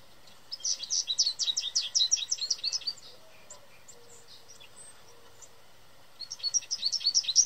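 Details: An American goldfinch sings loudly in a tree in a yard, probably a mating song, giving a rapid, high twittering run of sweet notes for about two seconds, then a pause and another bright burst.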